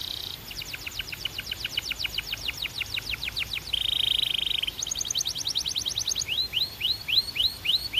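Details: Belgian canary singing a varied song: rapid repeated descending notes, a buzzy rolled trill in the middle, then a brighter fast series and a run of rising upswept whistles.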